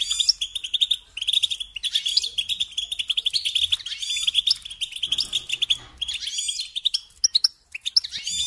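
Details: European goldfinch song used as a singing lesson for training young songbirds: rapid, continuous tinkling twitter of bright chirps and trills, with short pauses near the first and seventh seconds.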